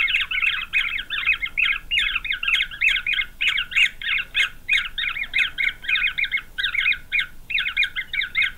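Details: Green wood hoopoe chicks in their nest, Pretoria, South Africa, November 9, 2023; loud scratchy chattering delivered in rhythmic bursts of about half a second, separated by short pauses, several voices together.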